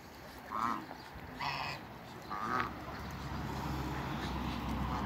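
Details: A pair of large African geese. Three separate nasal honks, each about half a second long, come roughly once a second against a low rumbling background.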